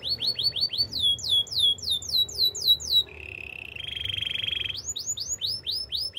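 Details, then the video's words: Spanish Timbrado canary training song: rapid series of downslurred metallic notes, a low buzzing rattle, a higher sustained trill, then more quick repeated slurred notes. "Canaries spanish timbrado songs for training"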